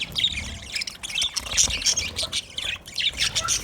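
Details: Several budgerigars feeding, chirping steadily. Busy, high-pitched twittering and scratchy warbles overlap without pause, and short squeaks stand out now and then above the chorus.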